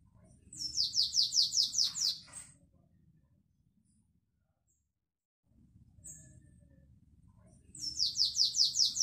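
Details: A canary of the Belgian classic song type, recorded 2021, sings two bursts of rapid, high, bright notes, about eight in each run, separated by a pause, over a low murmuring hum.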